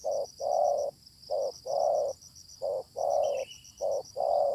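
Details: Fierce wild spotted dove responding during a luring session with a decoy bird: a rhythmic run of deep coos, short-long pairs repeated four times, with shrill insect chorus behind and a faint thin bird note.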